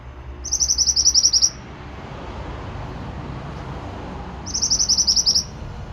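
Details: Pied bushchat singing vigorously in a tutor recording for training birds: two bursts of rapid, evenly repeated high thin notes, each burst about a second long, over a low rumbling background.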